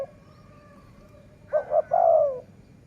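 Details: A single dove phrase during decoy luring: two quick low notes, then a sustained coo that slides downward. A faint steady tone lingers before it.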